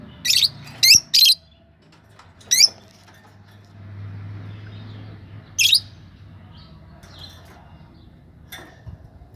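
Lovebird giving sharp, high chirps, a quick burst of three, then two more scattered calls several seconds apart, over a low background hum.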